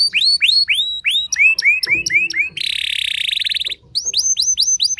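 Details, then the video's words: Lure song of a canary, sung to excite rival canaries into singing. A rapid tour of repeated, hooked whistles is followed by a long, harsh, buzzing roll, then more quick, bright repeated notes. "Pancingan Burung Kenari Bikin Emosi Kenari lain Dijamin Langsung Nyaut Ikut Gacor Panjang"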